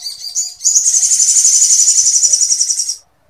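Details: Continuous sooty-headed bulbul song mimicking Sampit woodpecker material, used for tutoring other birds: a brief high note, then one steady, very high pulsing trill of about two and a half seconds that stops abruptly.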